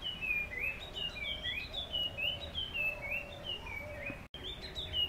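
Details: Puff-throated babbler calling in the morning: a lively run of clear whistled notes, each sliding up or down, given in quick succession. Faint steady background hum.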